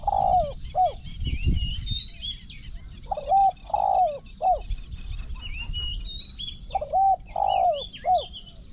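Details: Spotted dove decoy used in pen-trapping, cooing in repeated phrases: one or two short clipped notes followed by a longer falling rolled coo, three phrases. Other birds chirp higher throughout, with a low thump near the start.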